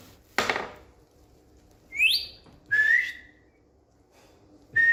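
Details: A pet Indian green ringneck parrot on a bed whistles after a sharp knock. It gives a steeply rising whistle, then a slurred falling one, and a final note cut off at the end.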